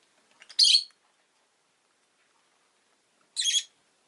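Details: Two loud, rasping high chirp bursts from a pet rosy-faced lovebird, nearly three seconds apart, the first preceded by soft clicks, otherwise quiet.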